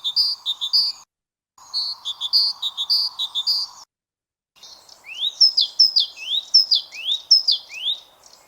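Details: A great tit, a male singing a simple, repetitive song, gives three short bursts of high two-note phrases repeated quickly, ending in a run of sharp rising and falling whistles.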